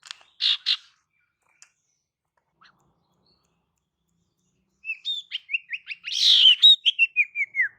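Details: Pied fantail female calling to attract males, opening with two harsh chattering notes, then after a silence a long run of high squeaky chirps that step down in pitch, with one harsh burst in the middle.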